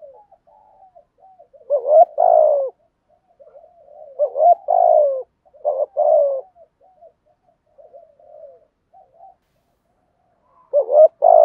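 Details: Spotted dove giving 'thúc gù' coos used to stimulate decoy birds: repeated phrases of a short note and a longer husky falling coo, separated by quiet gurgling murmurs, four phrases in all.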